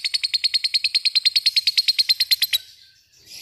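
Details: Lovebird giving 'ngekek' chatter, a fast steady run of sharp, buzzy chirps around twenty in a row, stopping abruptly after two and a half seconds, followed by quiet.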